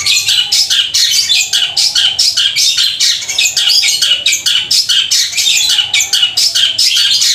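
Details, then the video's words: Long-tailed shrike singing loud and long in a style likened to fighting house sparrows: dense, harsh, scratchy chattering bursts repeated rapidly and almost without pause, with faint lower tonal notes beneath. "Cendet suara gereja tarung sambung kunti gacor panjang keras powernya"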